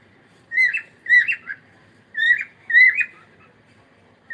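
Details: Cockatiel singing in the morning, pairs of short whistled notes with a rising then falling slur, given in two bursts against a quiet background.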